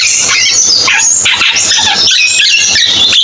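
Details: Cucak keling song, a dense stream of sharp whistled notes, quick chatters and warbled trills, several phrases overlapping continuously at high pitch over a low steady hum.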